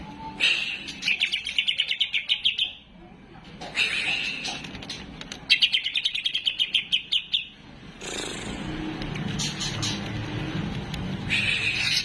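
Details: Greater green leafbird at home in vigorous song: long, buzzy, rapidly pulsing trills lasting two to three seconds each, separated by pauses, with some background noise.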